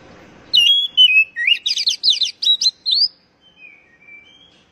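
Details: Oriental magpie-robin song meant to prompt captive birds to sing: drawn-out descending whistles lead into a quick run of looping, twisting notes, ending in a few faint, thin whistles over near silence.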